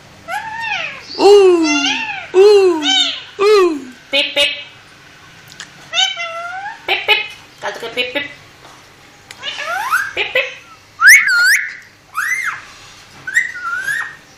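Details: Talking parrot chattering nonstop in a series of speech-like syllables, some falling and some rising, in irregular bursts roughly once a second, ending with higher whistled notes; indoors.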